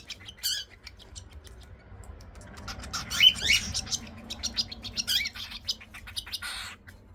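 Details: Baby cockatiel chicks at breakfast feeding time, hand-fed formula milk with a special spoon, give harsh, raspy, hissing squawks in rapid, uneven bursts of several per second over a faint low hum: cockatiel chicks begging.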